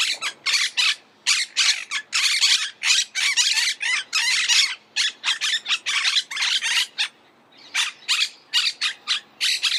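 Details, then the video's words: Monk parakeet, the Argentine parakeet, giving a rapid run of harsh, broadband squawks, each burst short and raspy, packed closely with brief gaps, loud and continuous for the whole stretch. "Canto de la Cotorra - Sonido de Cotorras - Audio De La Cotorra Argentina"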